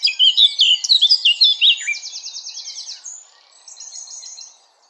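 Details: Eurasian blackcap delivering a hurried scratchy warble of jumbled high notes, running into a fast even rattle-like trill and a softer closing trill.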